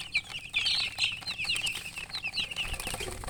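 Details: Recently hatched chicks chirping loudly, a busy tumble of sharp high peeps from multiple birds, strongest near the start, with faint rustling underneath.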